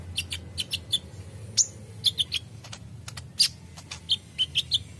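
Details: Purple-throated sunbird (kolibri ninja) in active song, delivering crisp high ticking chirps in loose groups with a few louder accented notes, against low background noise.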